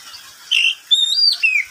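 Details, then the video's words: Midday song of a pet oriental magpie-robin: a short series of clear, loud whistled notes, one rising, others gently falling, spaced by brief pauses. "Suara burung Kacer di siang hari"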